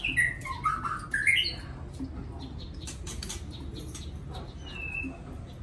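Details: Soft song of a white-rumped shama: a loud burst of varied, sliding whistled notes that rise and fall, then quieter clicks and a single thin whistle over background hum.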